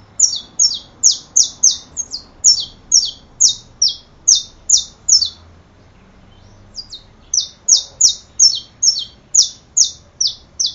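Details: Saffron finch singing long runs of sharp, high down-slurred chips at about two per second, a brief gap midway, then another steady run of similar notes.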